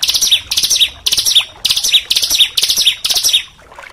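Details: Oriental magpie-robin used as a training song for caged songbirds, fast dense harsh shooting style: short bursts of high sharp notes, each burst ending in a whistled accent, repeated about twice a second.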